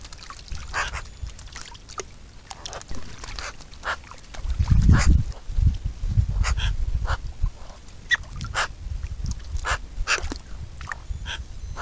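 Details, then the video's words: Eurasian magpie, Pica pica, repeating coarse clicking chak notes at an uneven pace, with a burst of low wind or handling noise in the middle. "Eurasian Magpie Pica pica Κατσικορώνα ή κατσικουτάλα ή κόρωνος"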